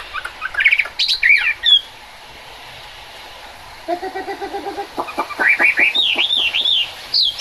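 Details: Chinese hwamei singing in the rain: bursts of bright whistled notes, a two-second pause, then a fast string of lower, harmonically rich notes before rising looping whistles resume.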